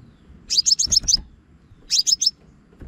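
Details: Trapping lure of a Scarlet-backed flowerpecker from Vietnam: a run of five fast, thin, high-pitched slurred ticks, then a shorter group of three, against faint low rumbling.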